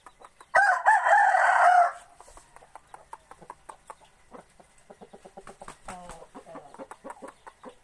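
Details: Lao fighting rooster from Laos gives a single loud, hoarse crow lasting about a second and a half, then a string of soft, quick clucking notes trails off in the background.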